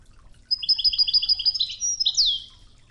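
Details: Goldfinch song, Widani style (توغزة), on a training tape with river-water tones: a steady run of paired chirping notes speeding into twittery trills and closing on a loud, sweeping downward slur; faint background murmur.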